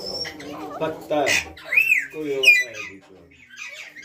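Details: Arched, whistled calls from a ringneck parrot rising and falling twice near the middle, set among murmured, speech-like babble and soft squawks.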